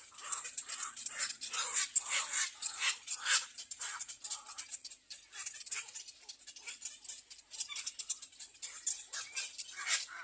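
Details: Begging little egret nestlings calling for food, giving dense harsh rasping chatter, roughly two noisy bursts each second in an uneven rhythm, with a steady high-pitched hiss underneath.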